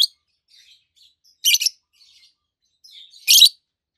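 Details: Two healthy adult green peach-faced lovebirds, one red-faced and one yellowish-white-faced, chirping: two harsh, high, buzzy chirp bursts about two seconds apart, with faint soft twitters between them.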